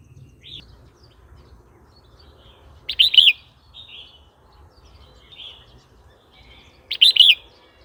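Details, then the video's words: Red-whiskered bulbul song, played to provoke new birds and wild birds or to teach young birds: two loud bright warbled phrases about four seconds apart, with soft faint notes between and a low rumble beneath. "เสียงนกกรงหัวจุกร้อง 06"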